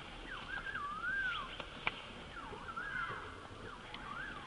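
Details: Orange bullfinch in Kashmir giving soft, wavering whistles that rise and fall, several in quick succession, over a steady outdoor hiss with one sharp click.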